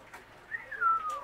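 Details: Kea (Nestor notabilis) kept at Zlín zoo: one clear whistled note that slides smoothly downward and softens at its end, lasting under a second, with a quiet indoor background.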